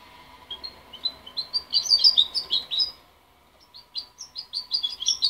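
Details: Young goldfinch hybrid, parent-raised rather than hand-reared and separated from its mother at 23 days, still muddling its song: a run of high twittering notes rising in loudness, a brief pause, then a fresh burst of chirpy phrases.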